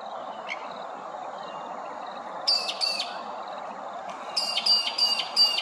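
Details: Grey-crowned babbler at Hervey Bay, Queensland: loud, harsh, clipped notes in a quick run of two, then a chattering series of four or five, over faint background birdsong.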